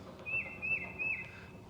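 A bird gives three thin, steady high whistles, each under half a second, spaced evenly over a quiet woodland hush.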